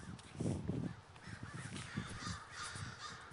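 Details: Crows gathering in a large flock at Davis, California: many overlapping harsh caws blend into a steady chorus over a deep low rumble, with louder nearby calls in the first second.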